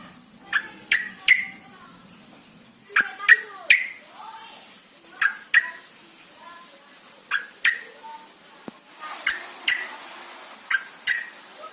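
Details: Lure for caged yellow-vented bulbuls, used to trigger singing: repeated clusters of two or three sharp downslurred chirps every one to two seconds, with softer warbled notes between and a steady high-pitched hum throughout.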